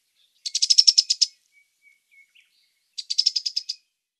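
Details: Cetti's warbler, two fast bursts of about ten rapid, sharp, high notes each, with a pause between them and a few faint soft notes in the gap.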